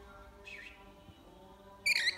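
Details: Lorikeet calling in the morning: a faint, brief squeal early on, then one loud, harsh, buzzy screech near the end against a steady low hum.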